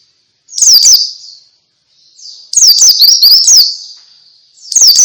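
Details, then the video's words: High twittering white-eye song in the ngalas style, played to get silent white-eyes singing. A short zigzag phrase is followed by a pause and a longer burst of sharp chirps, then another phrase begins. "Suara Pleci Ngalas Bikin Semua Jenis Pleci Ikut Ngalas"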